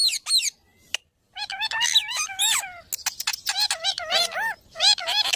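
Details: Parrot chattering in rapid, speech-like warbles with wavy harmonic notes and sudden loud bursts, after a short silence early on.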